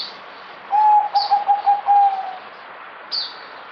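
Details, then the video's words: A zebra dove gives a soft, stuttering run of about six low cooing notes over under two seconds, with faint high chirps from other birds. "Merbok Zebra Dove"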